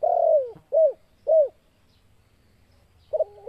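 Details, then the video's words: Spotted dove, described as a vocal bird whose call provokes other doves to fight, gives low, mellow coos: a long falling note, then two short rounded coos, and a final double note after a pause. "Suara TEKUKUR Gacor Ngajak TARUNG AUTO Tekukur Lain EMOSII..!!!"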